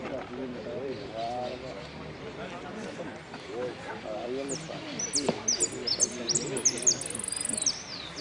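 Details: At a singing contest in Merlo on 3 December 2017, a finch ranked third in the 'sin cierre' class gives fast, high, chattering notes and trills toward the end, against constant background conversation.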